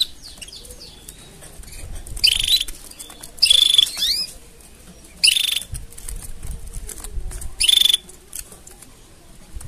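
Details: Canary mating sounds: four loud, buzzy chirp bursts with a high, level whistle inside, spaced one to two seconds apart, with faint softer chirps and quiet hiss between.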